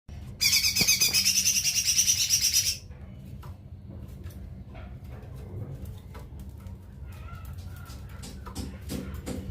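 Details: Lesser green leafbird (cucak ijo mini) singing one loud, rapid, buzzy trilled phrase of about two seconds with a high tremolo line, followed by quiet background hum and faint clicks.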